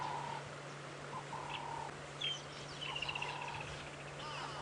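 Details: On a sunset safari drive on 17 January 2017, around 5:30 PM, an emerald-spotted wood dove gives soft, low, drawn-out hooting coos spaced irregularly during a quiet listening moment, with thin chirps and a brief trill from other birds over a steady low hum.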